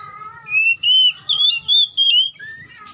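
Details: Wild Oriental magpie-robin singing: clear whistled phrases, first low and level, then a run of bright, sliding high whistles in quick bursts, ending on lower drawn-out notes, with a faint low hum beneath.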